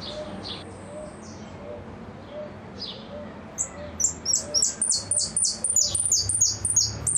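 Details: Goldfinch repique song. A faint high phrase opens, then a burst of fast, sharply descending piercing notes runs steadily to the end over a soft low hum.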